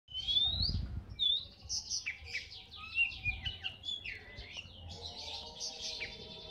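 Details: Oriental magpie-robin, called kacer bagong, singing a rich varied phrase: a clear rising whistle, then quick buzzy and chattering notes with short warbled slurs, over a low background rumble.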